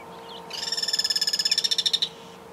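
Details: Guira Cuckoo in rural Santa Fe, Argentina, 2023, calling alone or answered by others: a rapid rattling run of about twenty high, buzzy notes in a second and a half, swelling louder, over a faint steady hum.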